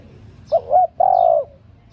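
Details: Female spotted dove calling to stimulate male doves: a short two-part rolling coo followed by a longer, steady, low hooting note, fairly loud and clean against quiet background hum.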